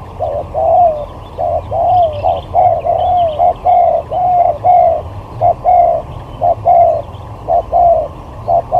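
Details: Singing-contest spotted dove acting as a lure, moving from sigagap to jergot style: a dense run of hollow coos, short notes mixed with longer drawn ones, pouring out almost without pause for nine seconds.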